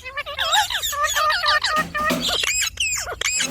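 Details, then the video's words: Rapid, continuous chatter from a pet Indian ringneck parakeet: dense wavering speech-like syllables, ending in sharper squawky notes. "Talking parrot video|Ringneck parrot video|Parrot sound video|Parrot voice video"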